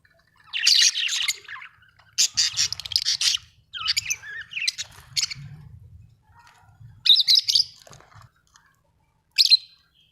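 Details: Budgie chirping in separated bouts of high, scratchy warbling chatter and squeaky notes across ten seconds, with quiet gaps between bouts and faint low rumble.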